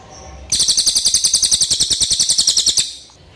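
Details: Common iora giving a clear song, meant as a master recording for training songbirds: one fast, even trill of high, sharp notes lasting about two seconds, then quiet.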